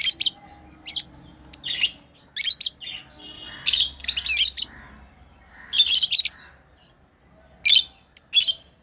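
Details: Tame lovebirds at play, giving loud shrill chirps and raspy chattering bursts in clusters of rapid notes, pausing between bursts, over a quiet indoor background.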